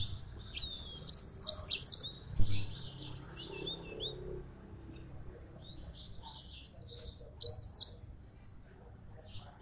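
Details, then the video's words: Yellow-fronted canary (Mozambique canary) singing energetically, a bright, rapid run of high twittering trills and chirps over a low background rumble. "Burung Mozambik Gacor"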